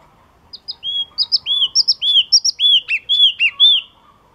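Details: Yellow-cheeked tit song of bright, high chirped notes, each an upswept then downswept whistle, delivered in a rapid, slightly irregular string of about a dozen notes over three seconds.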